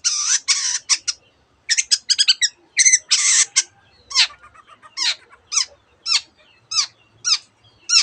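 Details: Long-tailed shrike song mimicking canary and other birds: harsh chattering bursts at the start, then a run of clear rising slurred whistles repeated about every half second.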